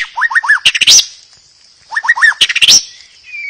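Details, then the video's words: White-rumped shama song played to provoke other shamas into singing: two phrases, each a quick series of rising whistled notes followed by sharp, high chattering notes, with a pause between. "Terapi murai pancing murai agar bunyi."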